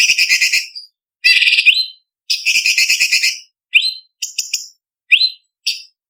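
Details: Blue-winged leafbird (cucak cungkok), training recording for song contests in the isian kasaran and tembakan style. Loud, harsh, buzzy bursts under a second long alternate with short rising whistled notes and brief chips, separated by clean silences.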